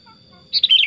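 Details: A chatty pet sooty-headed bulbul starts a quick, bright phrase of bubbling whistled notes that tumble downward, cut off abruptly, over a steady high hum.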